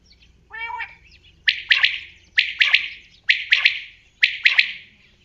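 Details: Common quail giving its repeated three-part call: a single sharp note, then two close notes, the phrase returning roughly every second, with a brief lower chatter at the start and little else audible.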